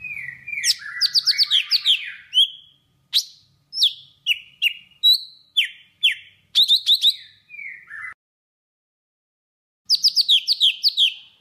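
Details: Trapping lure song of a golden-fronted leafbird from Vietnam: a long, dense medley of buzzy trills, rapid chirp clusters and slurred whistles, a pause of nearly two seconds, then a final quick twittering burst.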